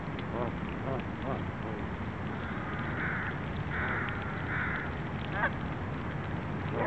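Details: Canada geese having lunch in Vanier Park, Vancouver, November 23, 2012: a few quick clipped notes early on, then three longer nasal honks in a row, with constant low background rumble.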